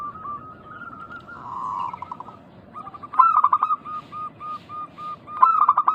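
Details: Local zebra doves used as a lure to make other doves call back; soft trilling coos around a steady tone, then louder stuttering coo phrases at about 3 and 5.5 seconds.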